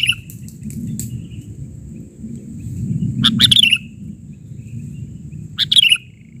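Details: Kutilang, the sooty-headed bulbul, in a gacor isian recording of the bahari version: a few scattered chirps, then two brisk bubbling phrases about two and a half seconds apart over low rumbling background noise.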